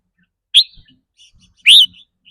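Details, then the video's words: Two loud, clear whistled chirps from a red-whiskered bulbul, about a second apart, each rising then falling slightly. These are 'rik' calls said to vary with the bird's mood that day. "ริ๊กรัวๆ คือเรื่องปกติ"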